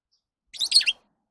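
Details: Lovebird giving a quick burst of three harsh, high chirps lasting under half a second, rasping and squeaky, in otherwise quiet surroundings.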